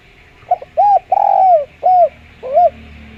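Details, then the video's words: Spotted dove with a clear voice, played as a lure for other doves: a single phrase of a brief stutter, an arched coo, a long drawn-out descending croo, another coo and a softer final note. "Derkuku suara jernih buat pancingan"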